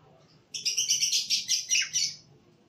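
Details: A male cucak koreng bulbul singing a quick, bubbly phrase of about eight bright, high notes over roughly one and a half seconds, with a brief downward slur near the end, in a quiet setting.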